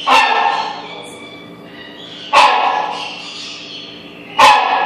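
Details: A Rhinoceros Hornbill at the Pittsburgh Aviary gives three loud, harsh, honking barks about two seconds apart, each fading into a ringing tail against a quiet background.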